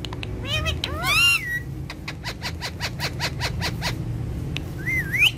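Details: Two friendly ringneck parrots, said to dance and talk. Harsh harmonic squawks rise and fall, followed by a rapid run of clicking notes and a final wavering whistle, over a low background rumble.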